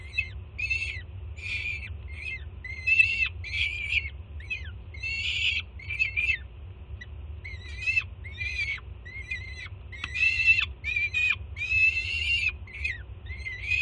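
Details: Jersey City falcon cam, 24 June 2017: a juvenile peregrine greets its mother arriving with food in a rapid run of about twenty-five short, raspy screams over fourteen seconds, with a steady low rumble behind.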